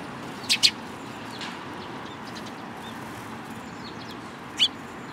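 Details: Sparrows at a Tenmangu shrine on 14 April 2022: a quick pair of sharp high chirps, then a single chirp about four seconds later, over a steady rumble of road traffic.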